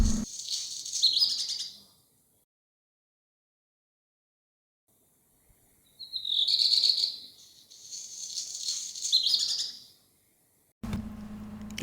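Black Redstart song: a high rapid warble, then a scratchy, crackling phrase and another warbled burst around 4–8k, with silent gaps between phrases.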